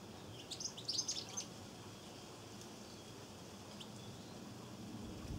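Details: European goldfinches drinking at a garden bird bath in Cornwall on 23 September 2014 give a short cluster of high, thin twittering chirps in the first second and a half, then near silence with soft background hiss.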